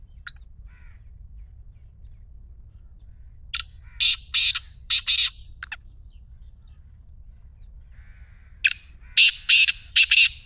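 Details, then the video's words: Repeated call of a black francolin, used to make a quiet partridge start calling: a rasping phrase of several buzzy notes, a long silence, then another loud phrase of harsh grating syllables, with faint chirps between. "خوبصورت نظارے اور کالے تیتر کی مدھر بولی | اب خاموش تیتر بھی بولے گا/ Black Teetar Voice"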